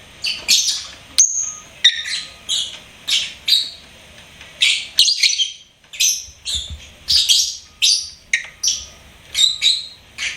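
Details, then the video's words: Singing pet lovebird giving a steady series of shrill, raspy chirps and squeaks, about two per second, some notes sliding downward, with a faint steady hum in the background. "LOVEBIRD SINGING & CHIRPING SOUNDS"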